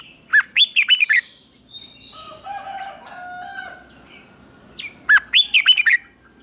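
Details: A red-whiskered bulbul practising its morning song delivers two quick, bubbly phrases of slurred whistles. Between them a rooster crows in the background.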